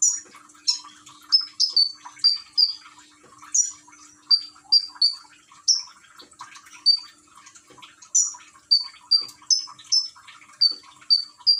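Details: Common iora from Gresik, East Java, with trickling water in the background: sustained bout of shrill whistled notes, varying between higher and lower pitches, delivered in loose bursts, over steady water patter and a low electrical hum.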